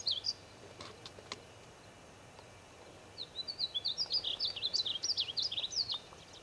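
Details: Painted bunting in the Wichita Mountains of Oklahoma: a few faint high notes and clicks, then after a quiet stretch a long rapid phrase of thin, high warbling notes rising and falling.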